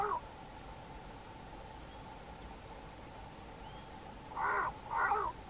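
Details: A Cape crow calling from a treetop, bowing and puffing its throat with each call, gives two harsh, drawn-out caws about half a second apart after the clipped end of an earlier one, over a faint hum.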